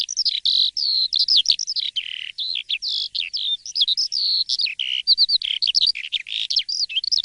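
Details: A jalak suren (Asian pied starling) delivering loud morning song, a continuous jumble of whistled, wavering and chattered notes with occasional lower sustained tones.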